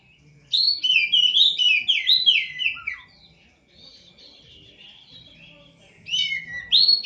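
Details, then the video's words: Prinia, a bird kept and bathed every night, delivering rapid, twittering phrases of high chirps and slurred whistles, then a pause of about three seconds before a shorter burst resumes. "Suara Burung Poci"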